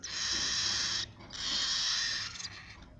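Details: Cockatiel chicks produce two long, breathy, raspy hisses, the first about a second long, the second longer and fading at the end.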